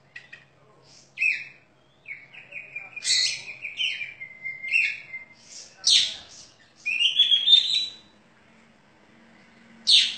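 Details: Champion contest Oriental magpie-robin kept caged, singing loud, crystal-toned phrases: clear whistles, rapid buzzy runs and a sweeping rising note, varied bursts nearly without pause, slight room hum behind.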